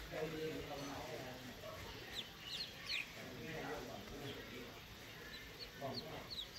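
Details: Two-day-old call ducklings give thin, high, down-slurred peeps in quick bursts over a low murmur of voices and handling noise.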